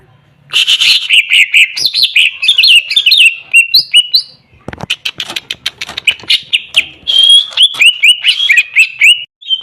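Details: Greater green leafbird song used to get a reluctant bird singing: continuous loud, varied warbling of slurred whistles and chattering notes, briefly broken by a sharp click before resuming with rapid repeated phrases.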